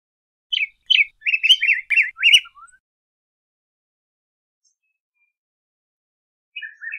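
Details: Yellow grosbeak song: a quick run of short, sweet warbled notes around two to three kilohertz-range pitch, rising and falling, lasting about two seconds, then silence before a brief second phrase begins; no other sounds.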